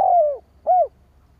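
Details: Part of a spotted dove's rival-luring call: a long mellow coo drifting downward, a short pause, then one rounded arched coo, low-pitched and clear.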